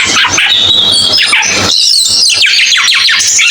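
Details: Cucak keling birdsong, loud and busy: overlapping bright whistles and rapid chattering trills sweep high, with dense layered phrases throughout and a faint low hum beneath.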